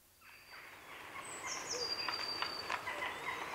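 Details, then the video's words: Grey herons at a heronry in the afternoon, recorded close up, give rough croaking and clattering calls in quick bursts, with jackdaw chatter and thin high blue tit notes behind. "Grey Heron. Heronry Calls"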